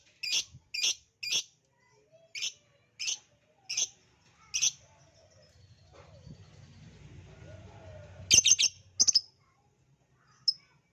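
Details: Lovebird sound used to prompt singing: strings of piercing high chirps, some doubled, irregularly spaced over several seconds, a stretch of low rumbling noise, then a close cluster of chirps and one last faint note.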